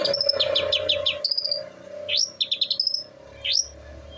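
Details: Long-tailed shrike, eight months old, from Jember in East Java, mimicking other birds: short bursts of quick high chips and rising whistled notes separated by pauses, over a steady low hum.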